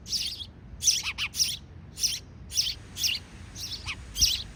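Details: Shrill, high-pitched chirping from sparrow chicks as parent sparrows feed them, with rapid, irregular bursts nearly a second apart and occasional lower, quick double notes in a quiet background.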